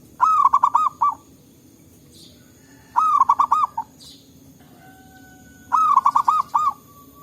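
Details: Local zebra doves answering each other in forest, recorded to lure birds: three mellow rolling phrases about three seconds apart, each a long coo then rapid bouncing notes, with faint high chirps and a thin whistle between.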